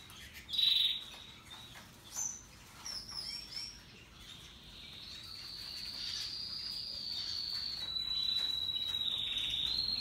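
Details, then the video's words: Russian yellow and Timbrado canaries singing happily: a few loud bright chirps and short warbled phrases, then a long sustained rolling trill that stays high and steady, growing louder over the last five seconds. "Canaries Paradise Song Sound"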